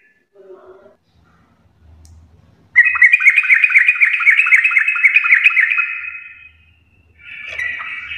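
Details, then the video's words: Yellow-vented bulbul (trucuk) in energetic full garuda song: after faint low background sounds, a loud burst of fast, sharply repeated chattering notes lasting about three seconds, followed by a shorter phrase. "trucukan gacor full Garuda parah"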